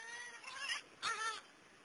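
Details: Wild young New Caledonian crows at a natural foraging site, learning to fish wood-boring beetle larvae out with tools; two short, wavering, nasal harmonic calls, the second louder and bending downward, over a quiet background.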